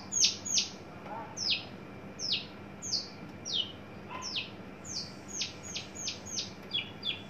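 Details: {'caption': "An adult male Horsfield's bush lark, caged and newly coming into breeding condition, repeats downward-sweeping notes at a steady pace, slightly fainter, in a quiet background."}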